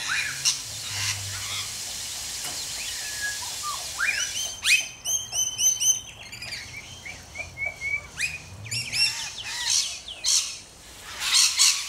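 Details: Rainbow lorikeets in Australia: scattered shrill chirps, then a burst of rapid harsh screeches and buzzy notes from several birds, with quieter twittering between.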